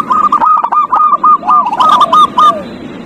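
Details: Zebra dove (perkutut) song used as a lure to coax a dove reluctant to sing: a rapid run of short hooked, cooing notes at a steady mid pitch over a rough low background hum.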